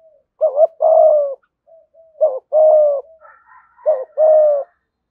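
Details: Spotted dove 'gù thúc' coo in the 'giọng thổ' voice, used for luring wild doves: three evenly spaced phrases of a short doubled note and a long drawn coo, with faint higher chatter near the end.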